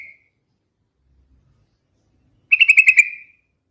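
A Sooty-headed Bulbul gives one short, bubbly phrase of about six quick, rich notes that run together and trail off, after near silence.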